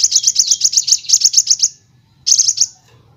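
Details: Sunbird (kolibri wulung) singing for a training recording: a fast, even burst of sharp high ticking notes for nearly two seconds, a short silence, then a shorter matching burst.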